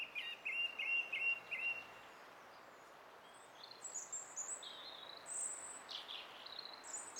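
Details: Song thrush song from 20 April 2016: four quick repeated whistled phrases, then a pause, followed by a series of thin, very high-pitched notes of varying shape, against constant background hiss.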